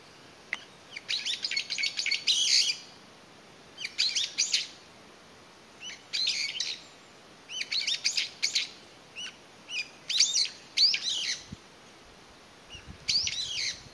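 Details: In May 2021 a single Brown-eared Bulbul, separated from its family, calls energetically and pauses to listen, tilting its head; bursts of shrill harsh screeching chatter repeat every one to two seconds.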